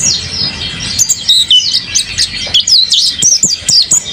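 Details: Kept mountain white-eye singing actively, with quick high twittering, looping slurred whistles and sharp chips in close succession.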